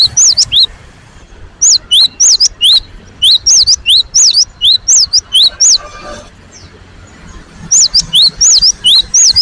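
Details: Cinereous tit singing loudly and persistently: high, ringing two-note whistles repeated in quick runs of three to five, with short pauses between runs and faint background hiss.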